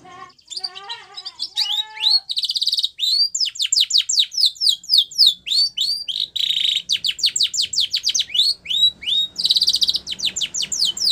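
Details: Spanish Timbrado canary, white-plumaged, gives a training song: low warbled notes at the start, then long rapid sequences of steeply falling high chirps with buzzy metallic rolls in between.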